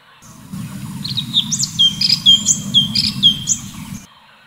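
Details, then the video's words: Continuous 'tembakan' song of an Orange-bellied Leafbird (cucak cungkok). Rapid, varied high whistled phrases with piercing upslurs and downslurs over a soft low background hum. "Birds Song Cucak Cungkok FULL TEMBAKAN"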